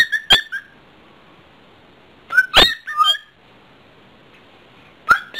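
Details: Pet cockatiel indoors, playful and showing off: a few short whistled notes with bright harmonics, a sharp upslurred chirp followed by gliding falling whistles, then quiet gaps between bursts.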